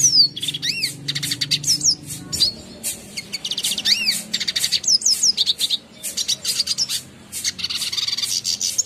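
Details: Caged-bird tutoring song of a red siskin, clear and bright: long run of rapid high chirps, rising-falling arched whistles, buzzy trills and chattering phrases with brief pauses.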